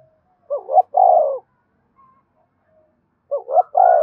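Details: Spotted dove in the 'gáy thúc' urging style, played so newly caught birds call along all day: two repeated phrases of a short double note and a drawn-out descending coo, nearly three seconds apart.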